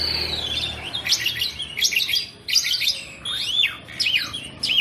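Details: Nonstop song from a kept Asian pied starling: clusters of dense buzzy chirps separated by short pauses, ending in looping whistled notes that rise and fall.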